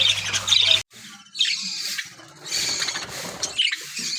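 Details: Caged budgerigars in an aviary, playing, singing and eating; rapid scratchy chirping chatter with short whistled notes, broken by a brief gap, over a faint low hum.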